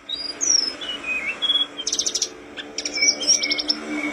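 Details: Tledekan gunung flowerpecker singing energetically for a training recording: thin sliding whistles falling in pitch, then rapid buzzy trills at a very high pitch, with faint low hum in the background.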